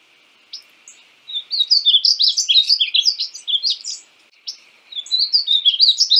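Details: Male-style painted bunting song of rapid, sweet, high-pitched warbles, a dense tumbling phrase lasting about three seconds, a brief pause, then another warbled phrase beginning.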